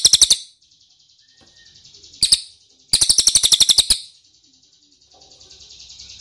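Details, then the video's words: Ashy tailorbird call used as a lure to draw replies: short bursts of rapid, hard, clicking high notes separated by pauses, with a softer thin trill running between bursts. "PANCINGAN CILILIN DIJAMIN NYAHUT!!"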